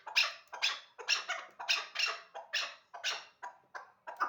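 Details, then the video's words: Hybrid chukar bred as a hunting partridge calls insistently, a chain of sharp rasping chucks a little over two per second, strongest early and softening toward the end of the run. "Кабки Гибриди шикори"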